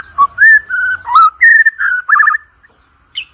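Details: Short phrase from a murai batu (white-rumped shama) used as contest lure song: a chain of clear, mid-pitched whistles with slurs, ending in a quick stuttered trill, then near silence.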